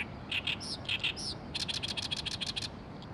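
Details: Oriental reed warbler singing in Oyama, Tochigi Prefecture, Japan: loud, harsh, grating syllables given in short bursts, first slow and separated, then a rapid run of about a dozen scratchy chattering notes, over a low background rumble.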